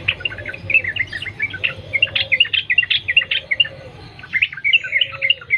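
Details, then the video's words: Yellow-vented bulbul from the wild, recorded as a lure to prompt singing; continuous chattering, bubbling notes, with a lower drawn-out arched note repeating about every one and a half seconds in the background. "Trucukan gacor Sambung ropel nguplik alam liar | pancingan trucukan agar bunyi gacor"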